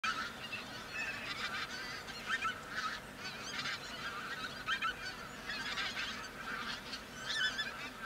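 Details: Large flock of Pink-footed Geese feeding on left-over grain near Verdal, Norway, in October 2018; dense overlapping honking and yelping calls, many birds calling at once in a continuous chorus with frequent louder bursts.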